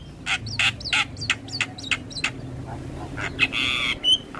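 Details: Javan myna song meant as a master recording for training birds: short harsh bursts with hooked whistled tails, about three a second, followed by a longer rasping note and a thin whistle.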